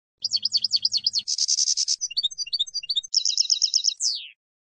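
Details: Campero field song of a European goldfinch, used for training young decoy and contest birds: repeated rising-falling whistled notes, a dense buzzy trill, scattered chips, then a fast even trill ending in a falling slur. A faint low hum opens.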